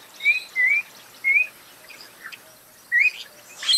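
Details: Spot-breasted oriole (Icterus pectoralis) song: short, clear, slurred whistles rising and falling, three in the first second and a half, then a pause with faint chirps, followed by another whistle and a sharp high note at the end.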